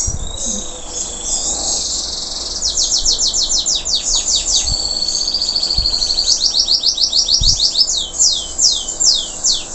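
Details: Moulted local canary still in vigorous song: soft high warble opening into long runs of rapid descending whistled sweeps, a buzzy trill, then more sweeping phrases, with faint background thumps.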